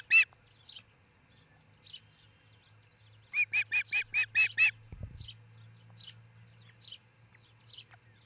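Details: Osprey pair's nest in Charlo, Montana, on a nest cam before 6 a.m. in June 2018: scattered thin chirps, then a burst of about eight rapid, clear whistled notes, then softer chirps again. A brief low thump and constant background hum.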